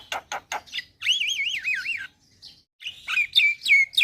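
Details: Javan myna in lively song: a few dry clicks, then a clear warbling whistle that wavers up and down, followed by sharp chirps and rising squeaky notes.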